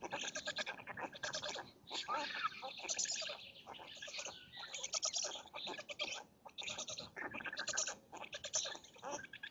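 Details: Black storks at a nest in Lodz, Poland, early morning of 30 May 2017, as the male brings food to the chicks and the female: dense, harsh, buzzy pulsed calls in rapid rhythmic bursts, pausing briefly every second or two.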